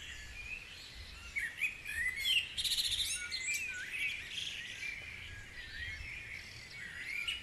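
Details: Dawn chorus at Guisborough with many birds calling at once; bright twittering phrases and rapid high trills swell to a loud burst midway, then lighter chirps continue.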